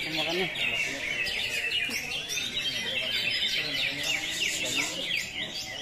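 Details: Greater green leafbird (cucak hijau) in a 'tembakan kapas tembak' song style: dense, fast run of high chirps, trills and twittering notes, unbroken for six seconds, with faint low voices underneath.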